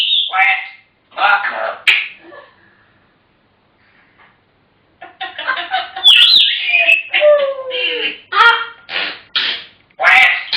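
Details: African grey parrots chattering: a burst of speech-like babble, a pause of near silence, then rapid mimicked syllables mixed with sharp whistles and squeaks.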